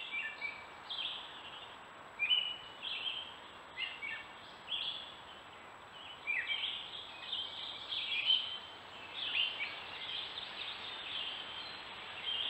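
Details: A Gray Catbird at a stone wall in woods in Strafford County, New Hampshire, sings a steady jumble of short, squeaky, chattering phrases with brief pauses, over a soft background hiss.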